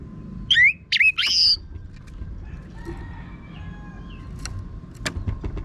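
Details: Orange-headed thrush song used as a training lure for cage birds: a brief run of three loud, slurred whistled notes rising and falling, followed by quiet hum and faint distant chirps.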